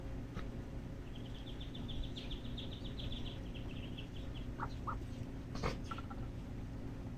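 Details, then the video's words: At feeding time in Boca Raton, Florida, USA, a brood of thirteen black-bellied whistling duck chicks gives a quick run of high peeps for about three seconds, then a few scattered lower notes, against constant low background hum. "Thirteen Black-bellied Whistling Duck chick feeding time"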